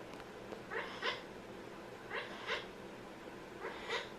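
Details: Amazon parrot at home giving funny sounds: three evenly spaced bursts, each a double harmonic squawk, the second note brighter, roughly every one and a half seconds in a quiet room.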